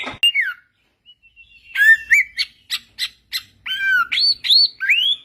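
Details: White-rumped shama singing in the wild: after a short pause, clear whistled notes rise and fall, mixed with sharp clicks, building into bright looping phrases.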